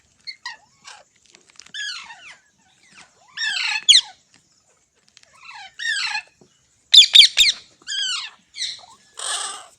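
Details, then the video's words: Pet green parrot calling in short bursts: sharp screeches that slide downward, repeated every second or two with quiet gaps between, ending in a rasping hiss-like note. "Green Parrot Talking Natural Sounds"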